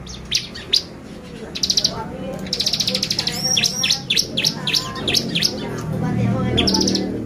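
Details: Busy bar-winged prinia lure song to excite the birds: chirps, rapid buzzy trills and looping high notes packed closely together, with low background noise growing toward the end.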